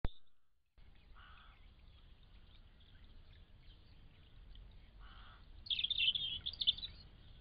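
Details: Thrush singing: a couple of short mid-pitched notes early on, then a brighter, rapid warbled phrase near the end, over low rumbling background noise.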